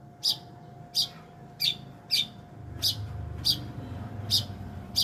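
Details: Long-tailed shrike giving sharp, high chirped notes repeated roughly every half second to second, each short and bright, over a steady faint electrical hum and low rumbling background.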